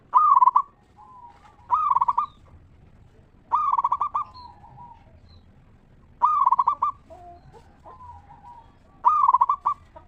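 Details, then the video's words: Local zebra dove giving its 'ngeristal' song, used to lure and stimulate other zebra doves into singing. Loud, rapid stuttering coo phrases repeat about every two to three seconds, with softer drawn-out coos between them. "Perkutut Lokal Gacor RAJA PIKAT Suara Ngeristal"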